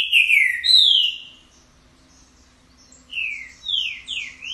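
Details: Green-winged saltator giving an unusual song: two loud, descending whistled slurs, a pause, then three more falling whistles, clear and sweet, with faint high notes above.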